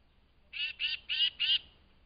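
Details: At dawn, at a forest feeding station set out for flying squirrels, an excited tufted titmouse gives four raspy, nasal notes in an even quick series, loud and close, against a quiet background.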